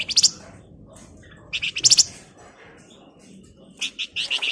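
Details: Male flamboyan used as a lure bird: short, scattered clusters of sharp high chirps, about three separate bursts with quiet gaps between them.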